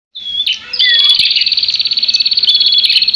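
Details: Prinia in a fight, giving a rapid, dry, buzzy chatter. Pulses repeat steadily at a high pitch, with faint scattered chirps above.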